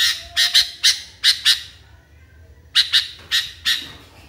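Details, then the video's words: Sooty-headed bulbul, or kutilang, in a furious, agitated state: loud grating squawks in quick pairs and triplets, a silent stretch of over a second, then another burst of rasping notes. "KUTILANG NGAMUK PARAH"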